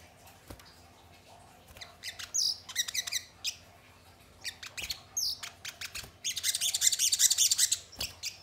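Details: Crested jay calls used as a lure to get kept birds answering and singing: irregular dry clicks and rattles building into loud harsh, noisy bursts and a dense scratchy chatter near the end.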